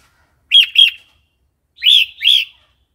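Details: Red-whiskered bulbul, wild song style for training captive young and newly caught birds: two pairs of clear, arched whistled notes about a second apart.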